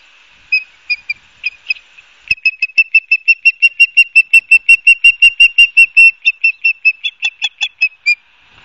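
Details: Ospreys at a nest cam in Barnegat Light, New Jersey, on 12 September 2022: a long run of shrill, piercing whistled chirps, a few spaced notes building into a rapid steady series of about three per second, then tapering off.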